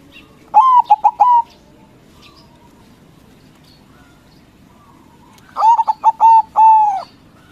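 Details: Zebra dove (perkutut), white bird, singing loudly to provoke rival doves into answering; two bursts of rapid, mellow cooing notes, a few quick stuttered coos ending in a longer drawn-out coo, with a quiet gap between.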